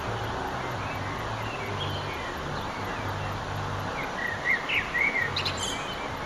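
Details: Eurasian blackbird singing at sunset on 9 June 2011; a few short, fluty whistled phrases rise near the end over a steady low rumble and hiss.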